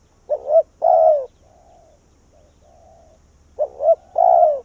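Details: Spotted dove decoy in Vietnam, calling wild doves to come to its tree. The loud phrases are a quick double coo and a long sinking coo. Between them, fainter, flatter coos sound, as from another dove further off, over a low hum.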